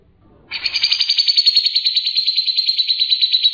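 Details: Grey-cheeked bulbul in full ngebren song: after a faint rustle, an unbroken, fast, buzzy rattling trill begins abruptly and runs steadily for three seconds with rhythmic pulses, loud and clear.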